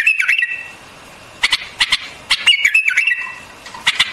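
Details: A white-eared bulbul sings quick gurgling whistles that bend downward, then sharp short notes, followed by another wavering whistled phrase.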